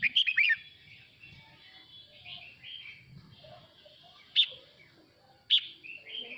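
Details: Male red-whiskered bulbul singing to call the flock: a loud burst of sharp whistled notes at the start, softer warbled phrases, then two more bright, clipped notes spaced about a second apart.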